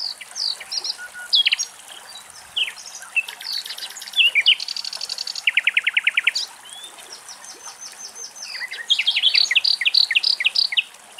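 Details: A Common Nightingale singing in Greek nature sings rich, varied phrases of whistles, rapid trills and sharp repeated notes.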